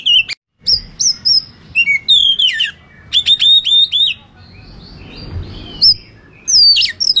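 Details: Oriental magpie-robin in full fighting song, used to provoke rival birds: loud, clear whistled phrases, some sliding down and some rising, in bursts separated by short pauses, with sharp chip notes mixed in.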